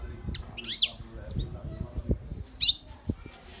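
A European goldfinch gives a few bright, high twittering notes, sung to call a female for mating.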